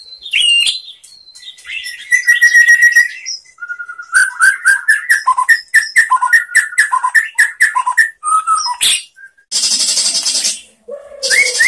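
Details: Varied white-rumped shama song played to teach other shamas, mixing high twitters, a buzzy trill, clear whistles, quick repeated chips and harsh rasping bursts near the end.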